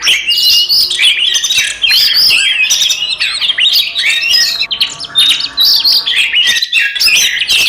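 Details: Continuous provoking fight song from five Oriental magpie-robins: busy, jumbled warbling of squeaky whistles and rasping chatter that layer into a thick chorus, with one brief lull near the end.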